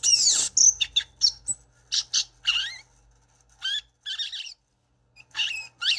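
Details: Violaceous euphonia singing a broken sequence of high, scratchy chirps and short down-slurred whistles, with brief silent gaps between bursts.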